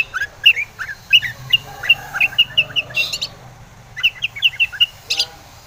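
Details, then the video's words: Long-tailed shrike singing vigorously as bait to make rival shrikes respond: rapid run of sharp high chirps mixed with lower slurred notes, a brief pause, then another quick chirping sequence; faint low hum behind. "KICAU SUARA cendet gacor RAJA PIKAT ini RAJANYA BIKIN NYAUT pentet lain"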